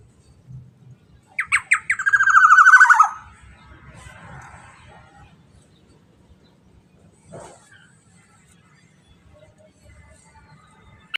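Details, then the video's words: Black-naped oriole delivering a phrase of sharp notes that quicken into a loud rasping chatter falling slightly in pitch, followed by long near-silence with a single faint click and low hum. "Suara UNnik Burung EKSOTIS KEPODANG EMAS GACOR"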